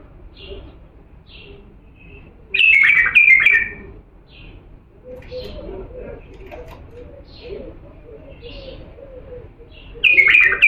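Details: Authentic Diyala bulbul singing to teach chicks: a loud, tumbling whistled phrase, then a stretch of softer high chirps and lower chattering notes before the phrase returns at the end.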